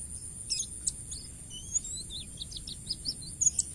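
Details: Wild white-eye song of the 'isian' type used as a master recording: a brief high trill, then a string of short wavering whistled notes at steady pace, a few sharp chirps, faint constant hiss underneath.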